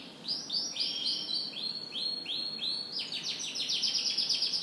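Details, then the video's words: Canary singing in the morning: a series of arched, slurred notes repeated about three times a second, speeding into a dense high trill of rapid chirps. "Canary Morning Singing"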